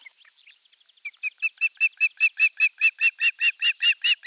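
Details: Osprey at nest 3 of a Finnish nest camera, morning of 23 June 2020, with a half-kilo crucian carp as the morning fish; faint notes build into a loud run of sharp, ringing, evenly repeated whistled calls about five per second.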